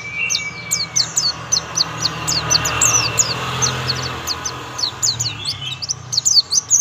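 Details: Oriental white-eye, young, giving a lively 'tembakan' song of quick, high, sharply falling chirps strung together in long runs, over a faint low hum.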